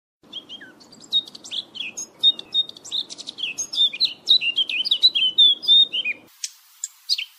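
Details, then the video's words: Eurasian blackcap song used for hunting as a lure: a fast, rich warble of varied chirps, twitters and short whistles running for about six seconds, followed by a brief separate burst of sharper notes. "صوت عصفور التين للصيد| صوت الدخل|blackcap bird sound"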